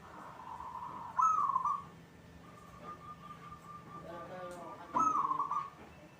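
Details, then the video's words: Local zebra dove in full song, kept in a cage: soft purring coos broken by loud, bright warbled notes about four seconds apart, with faint low murmuring between phrases. "hitungan detik perkutut cepat bunyi atau gacor"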